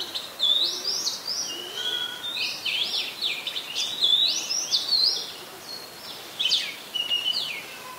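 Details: Oriental magpie-robin song from Ubon Ratchathani, Thailand, 17 July 2021: a rich, fast, varied run of whistled and chattering notes, rising and falling, softer and more distant, with faint background noise.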